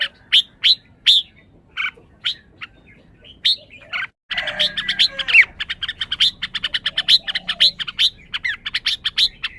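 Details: Red-whiskered bulbul calling with a few spaced sharp chirps, a brief silence, then a dense fast stream of high ticking and twittering notes.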